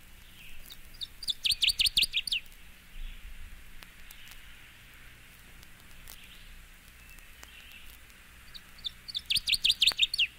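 Northern Waterthrush singing two loud, ringing bursts of rapid, sweet chips that quicken and drop at the end, about eight seconds apart, over a quiet low hum.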